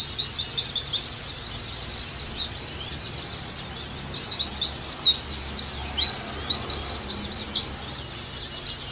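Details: Oriental white-eye song, offered as therapy and training audio to get a kept bird singing actively again: rapid, high, thin chirps and twitters in dense unbroken runs, with sweeping and trilled notes and a brief lull near six seconds.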